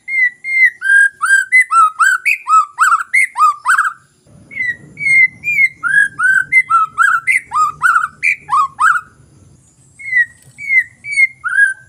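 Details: ['White-rumped shama lure song meant to prompt a reluctant bird to sing. A steady stream of loud whistled notes, each sliding up or down, in varied phrases. A soft low rumble runs midway through.']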